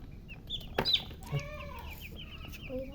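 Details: Baby chicks with a hen: a sharp knock, then a run of quick high descending peeps, a lower arched note, and a few later chirps over low background noise.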